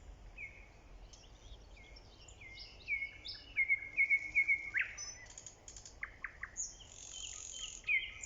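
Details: A nightingale, recorded in early spring, sings varied phrases: a run of rapid, sharp repeated notes, whistled slurs and high buzzy trills, with other birds chirping faintly behind.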